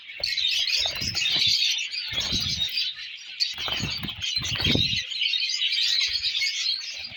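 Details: Continuous high twittering from colour lovebird chicks, over repeated low fluttering thumps from wing flaps every second or so.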